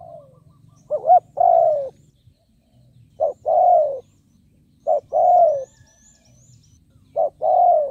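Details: Spotted dove used as a decoy to lure wild birds, giving four evenly spaced phrases of a quick double note leading into a long mellow coo, with faint high chirps from other birds and low hum.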